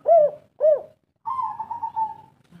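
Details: Spotted dove of the local 'kuk 3' type, an energetic lure-style recording: two arched, low coos followed by a longer, flat, slightly wavering higher note, with faint low background hum.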